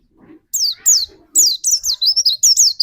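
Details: Lure white-eye singing to prompt another white-eye into full song: sharp high downslurred chirps, spaced at first, then quickening into a tight series of bright notes.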